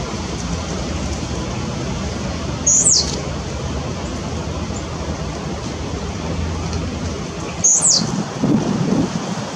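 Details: A male yellow-throated euphonia in San José, Costa Rica gives two brief, very high, sharply slurred notes about five seconds apart, mimicking a blue-black grassquit, over steady rushing noise like rain.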